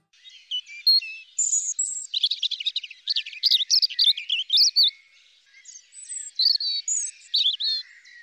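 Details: European Robin singing in a garden, a bird that keeps singing through winter: light, fluid, constantly improvised song of high, thin, rapid trilling and tinkling notes in varied bursts, like a clear trickling stream, over a silent background.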